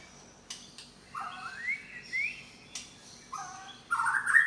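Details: White-rumped shama of the Medan type, a kept songbird showing its imitated repertoire: a few clicks, two rising slurred whistles, then a loud burst of warbling at the end.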